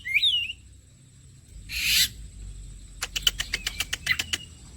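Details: Oriental magpie-robin (kacer) bait recording for prompting song: one rising-falling whistle, then a harsh noisy burst, then a rapid dry rattle of about a dozen clicking ticks with a thin whistle threaded through.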